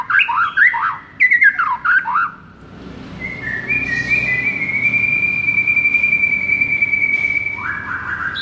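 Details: White-rumped shama in a masteran recording to make a sluggish bird fired up: quick warbled phrases of rising and falling notes, then one long steady high whistle held for several seconds.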